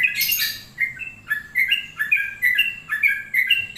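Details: Rapid chattering whistles from a long-plumed bulbul, opening with a harsh burst, then clipped notes bouncing between a higher and lower pitch about twice per second.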